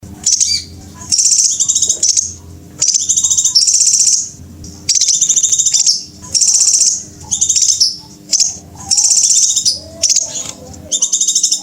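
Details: Scarlet minivet call played as a lure by bird trappers to draw birds onto glue sticks: high, rapidly pulsed bursts about a second long, each ending in a slurred downward tail, repeated with short gaps over a low steady hum.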